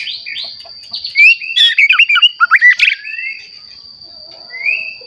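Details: White-rumped shama used as a singing lure for other shamas: a short phrase of quick twisting whistles and chirps in the middle, then a single rising whistle, over a constant high thin tone and quiet background.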